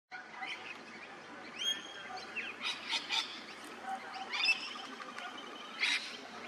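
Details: Rainbow bee-eater at Hervey Bay, Queensland, Australia, giving short, high rolling trills and chirps in scattered bursts, with other bird chatter in the background.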